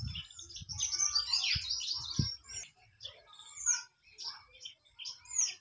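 White-throated fantail singing high, thin, tinkling notes in quick rising and falling runs, amid other chirping birds and a few low thumps.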